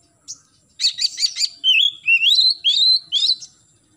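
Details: Oriental magpie-robin (kacer) morning song, played to stimulate young birds to sing. Four quick buzzy chirps lead into a run of clear whistled notes rising and wavering, ending with a sharp high chirp.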